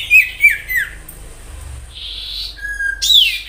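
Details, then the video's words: Common iora in natural 'gacor' song, used as a lure: three quick falling whistles, a hissing buzzy note, a steady low whistle and a sharp upswept note. "Sirtu gacor nyiul asli suara Alam cocok untuk pancingan sirtu ombyokan,agar cepat Bunyi"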